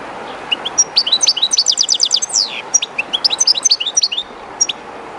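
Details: A captive European goldfinch near the flowing Jerte River, a bit shy in the strange surroundings, gives a rapid twittering song of high chirps, a fast trill and a downward slurred note, then more quick twitters over a steady backdrop of running water.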